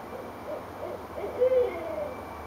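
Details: Back-and-forth owl calling at night in Richmond, Virginia, January 2012; spaced soft hoots, then a sharp, loud, level hoot followed by a long descending trailing note, with faint steady hum underneath.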